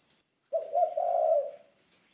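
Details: Spotted dove, a ground decoy bird in training. It gives a single low, smooth cooing phrase lasting about a second, warbling slightly as it fades.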